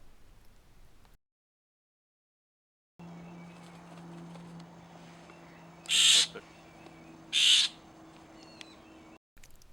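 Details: Florida scrub jay, Florida's only endemic bird, in scrub near a small ephemeral wetland at Lyonia Preserve, gives two loud, harsh, rasping calls about a second and a half apart, over a low steady hum and an otherwise quiet background.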